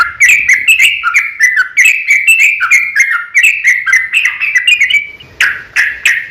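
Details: Long-running fighting song of a sooty-headed bulbul, used as a lure to get other bulbuls singing: steady chain of bouncy, slurred chirps for five seconds, ending in a few louder harsh notes.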